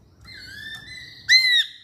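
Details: Masked laughingthrush in full voice: a faint, long level whistle, then a loud, bright, slightly falling whistled note lasting about a third of a second. The background is quiet apart from a low hum.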